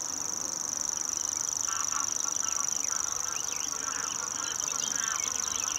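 A grasshopper warbler reels without a break, a high, dry, insect-like trill held on one pitch. Geese or ducks honk and call behind it.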